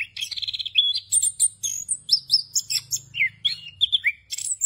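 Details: Orange-headed thrush, known locally as anis kembang or punglor kembang, singing in the rolling ngerol style packed with varied fill phrases: rapid repeated high notes, then quick whistled slurs and chirps jumping between pitches, with a faint low hum beneath.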